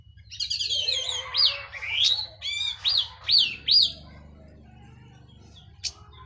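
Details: Orange-headed thrush, local Cililin bird finished moulting, in plong and teler song: a buzzy warbled opening, then four or five loud arched whistles about half a second apart, a lone click later, low hum behind.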